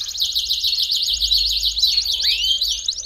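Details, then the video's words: Belgian canary song used to warm up a canary: fast wavering trill followed by a rising swoop, over a faint low hum. "CANTO PARA ESQUENTAR CANÁRIO BELGA RÁPIDO!!!"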